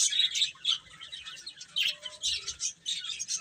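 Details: Chicks eating and playing, separate short high peeps repeated several times a second, clearer and more spaced than a full chorus, with soft pauses between bursts.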